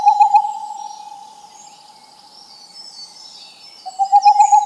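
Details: An owl gives a rapid pulsed trill that tails off into a faint sustained tone, then returns loudly at the close; small birds twitter faintly higher up.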